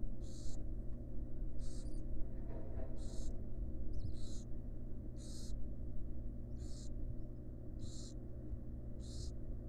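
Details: Wild barn owls in a monitored nest box, a mother resting beside her chicks; harsh, breathy hissing bursts about half a second long, repeated roughly every one to two seconds over a steady low hum.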